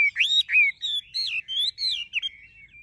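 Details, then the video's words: Caged, tame Chinese hwamei belting out loud, clear whistled phrases: rising and falling slurs repeated about twice a second, rich and ringing, with nothing else audible in the background. "Họa mi thuần đét chân mỏ lông lá vàng ươm - Hót như máy"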